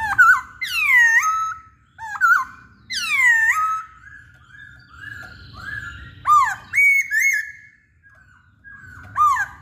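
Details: Poksay Hongkong, the masked laughingthrush, singing vigorously: repeated loud whistles that swoop sharply downward, then a quicker run of short level whistled notes later on.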